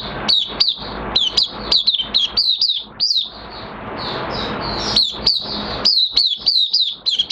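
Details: Caged Oriental white-eye in minor moult, singing openly, recorded 3 June 2022: crisp, high downslurred chirps repeated in quick succession, with a steady rushing noise in the background and a noisy gap in the middle.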